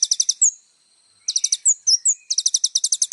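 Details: Little spiderhunter singing energetically, recorded as tutor material for young birds: fast bursts of very high, ringing repeated notes, a short gap, then single sharp slurred whistles and another long rapid run.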